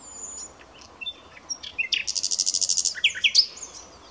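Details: Common nightingale delivering a fast trill of about twelve evenly repeated pulsing notes. It closes with a few sharp, slurred notes, while faint chirps of other birds are heard in the background.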